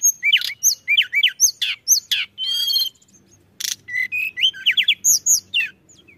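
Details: Pied bushchat singing hard, played to lure other birds: quick bursts of thin slurred whistles and chips, a short buzzy rattle, a brief silence near midway, then more rising and falling whistled notes.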